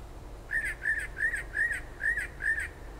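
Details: Unidentified night-singing bird by a kitchen window near Toms River, New Jersey; six even, arched whistled notes repeated about every third of a second, over noisy low background rumble.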